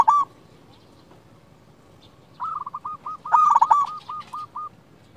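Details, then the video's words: Local Indonesian zebra dove in active song, used as a lure to make other doves answer: a brief coo, a long pause, then a run of short even cooing notes broken by a loud, rough, rattling burst, over low background rumble. "Perkutut lokal gacor RAJA PIKAT ini ahlinya bikin semua burung perkutut gacor NYAUT"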